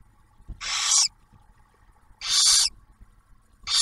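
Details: Barn owls at their nest near Oak Harbor, Ohio, the female sharing the male's food delivery with the first hatched owlet; three harsh, airy screeches at about 1.6 second intervals, the last cut off.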